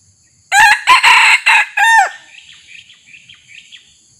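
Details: Loud red junglefowl crow during decoy luring of a territorial resident male. Four harsh, rasping bursts end in a falling tail. Afterwards, small birds twitter faintly in the background.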